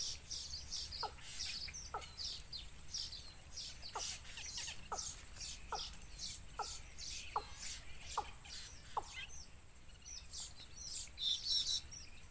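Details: Wild chicks begging their mother for food at the nest, pulling her down: a busy mix of thin high chirps and squeaks, with a lower downward note repeated roughly every second.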